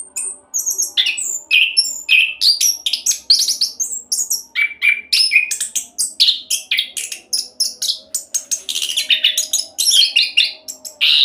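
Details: Orange-headed thrush in fast continuous song, used as a lure to make other birds sing: a dense stream of varied whistles, chirps and buzzy mimicked notes, high-pitched and rapidly changing, with faint steady low hum behind.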